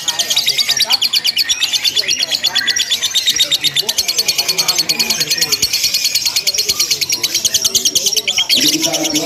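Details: Lovebird ngekek for a simulated contest, a long unbroken stream of fast, piercing, machine-gun-like chattering pulses over roughly nine seconds, with voices and background clatter low in the mix.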